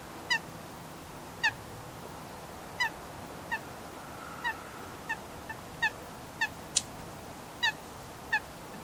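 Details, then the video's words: Wild Eurasian coot at Shin-Yokohama Park in Japan, one of several call types. About a dozen short, sharp, clipped 'kik' notes come at uneven gaps of roughly half a second to a second over a steady background hiss. "オオバンの鳴き声01地鳴き4種類＋喧嘩 Eurasian Coot / Fulica atra"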